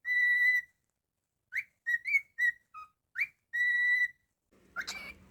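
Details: Cockatiel at home gives a long held whistle, then a string of quick rising and dipping notes, then another sustained tone. A rustling noise closes the clip.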